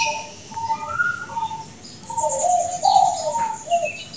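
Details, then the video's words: Zebra dove of world-champion standard, admired for its melodious, lengthy voice, giving smooth gliding coos that swell loudest near the middle, with thin high chirps from other birds behind. "Perkutut Juara Dunia, Luar Biasa Merdu, Panjang Suaranya"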